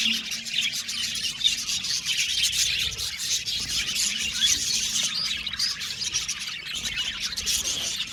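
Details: Happy budgerigars chattering together in an aviary: a steady, busy blend of high chirps, squeaks and scratchy warbled notes from many birds at once, with a low hum underneath.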